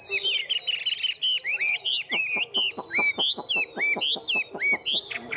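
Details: Tame caged Chinese hwamei, one of a pair, singing fighting song: a few looping whistles, then a string of loud down-slurred whistled notes repeated about three times per second.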